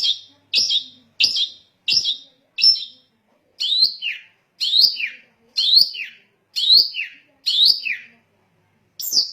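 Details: Long-tailed shrike (cendet) song meant to provoke other shrikes into singing: loud, sharp, rising-and-falling notes repeated about every second with brief gaps.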